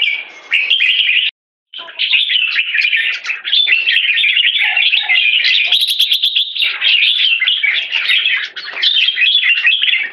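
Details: Red-whiskered bulbul (jambul) from a bird farm, singing in the 'one stroke' style leading into 'keke': dense, rapid chattering notes in a continuous high stream with quick twittery flourishes and a brief break near the start.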